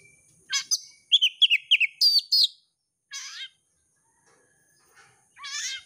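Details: Oriental magpie-robin bait song from a prize-winning contest bird: a quick series of bright, repeated whistled notes in pairs, followed by two separate rasping buzzy calls after pauses.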